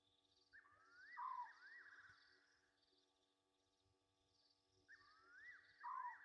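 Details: Egyptian geese at night by Gowrie dam, Djuma Game Reserve, Sabi Sand Wildtuin, South Africa, August 2023: two bouts about five seconds apart, each wavering tones joined by a loud short falling note, with pulsing insects and a faint hum between.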